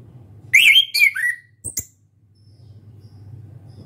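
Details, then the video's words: Young orange-headed thrush, still shy, learning the ngeplong singing style: a short run of clear whistled notes sliding up and down, then two sharp high clicks, over a low steady hum. "ANIS KEMBANG BELAJAR NGEPLONG"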